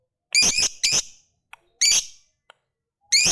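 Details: Lovebird of the fighter type: loud, rasping, shrill calls, two close together, then one more and another at the end, with tiny clicks in the gaps.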